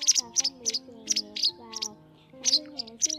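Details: White wagtail calls on a netting lure for migrating birds, 2020 season: sharp, high two-part chirps repeated about every quarter to half second, with a short pause midway, over soft gliding background music.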